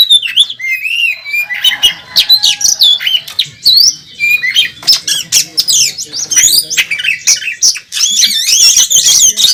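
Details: Oriental magpie-robin in a fighting display at a bird contest, a national first-place champion with a song full of fill-ins: long, dense medley of bright whistles, harsh squawks and rapid chatter, intense and varied.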